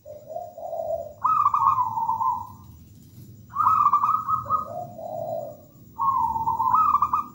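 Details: Zebra dove of a local strain singing busily, giving three phrases each opening with soft low coos and breaking into a higher, quavering trilled run that fades out; quiet gaps and a steady low background hum between.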